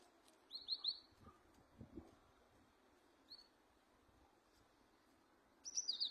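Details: Moroccan goldfinch song: short bursts of bright, high twittering notes, one near the start, a brief chirp midway and a fuller burst at the end, over quiet background.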